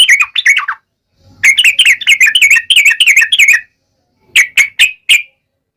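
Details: Yellow-vented bulbul singing sharp ngalas tajam style to draw a reply from other bulbuls: a short chatter, then a dense burst of rapid rippling notes, and finally four separate bright chirps.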